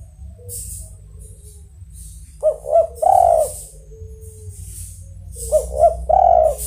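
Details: Spotted dove (tekukur) giving two melodious cooing phrases about three seconds apart, each two short rising coos followed by one longer, drawn-out coo; faint hissy bursts and a low background hum.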